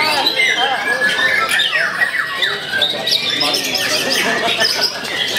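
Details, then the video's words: Young kept white-rumped shama delivers a lively song of clear falling and rising whistles interspersed with scratchy chatter, phrases overlapping in quick succession. "MURAI BATU GIANT II KERJANYA NGOTOT MURAI MUDA"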